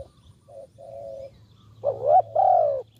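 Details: Spotted dove call for luring doves: soft, steady low coos, then two louder, throaty coos, the first bending upward and the second held and falling slightly.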